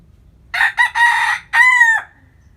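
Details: Morning rooster crow from a rural hometown, loud and close: two short clipped notes, a long buzzy middle phrase, then a final held note that drops off abruptly, with near silence around it.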